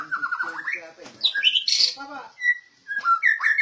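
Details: Captive, well-trained white-rumped shama described as rare. It gives loud whistled phrases that slide up and down, broken by sharp buzzy notes. Harmonic, voice-like sounds are mixed in.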